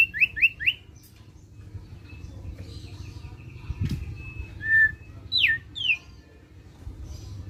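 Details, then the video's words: Thick-billed white-eye, a song used to spur other birds into singing: three quick rising chirps, a thin rattle of short notes, a brief whistle, then two loud downslurred squeaky notes. Soft hum and a dull thump behind. "Burung Opior Paruh Tebal Ngeriwik Ampuh Pancing Bunyi"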